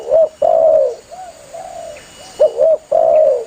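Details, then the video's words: A spotted dove calls its companions with low mellow coos: a long falling coo, softer distant coos, then a double note and another long coo; recorded as a lure for hunters. "Suara burung tekukur Gacor memangil temannya"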